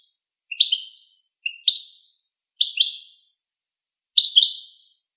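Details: Goldfinch song: four short, high twittering phrases, each a quick stutter of chirpy notes rising slightly, delivered about a second apart in clean silence.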